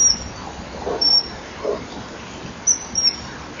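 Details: Male common kingfisher calls as he arrives at a perch by a nesting wall at 10:16 on 21 January 2012, with a female nearby: short, shrill, high whistled notes, singly and in quick pairs, over hiss and soft low knocks.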